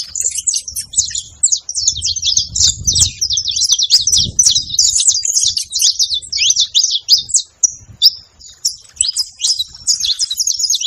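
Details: A group of saffron finches on a farm, chattering busily; bright, high chips and twittering slurs pour out in an unbroken overlapping stream, with a brief lull near the end and soft low background noise.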